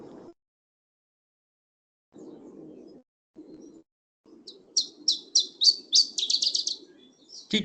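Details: Iberian chiffchaff singing its classic song, always a sequence of three sets of different notes followed by a pause of a few seconds. After a man's voice, about six evenly spaced high notes give way to a faster run of notes.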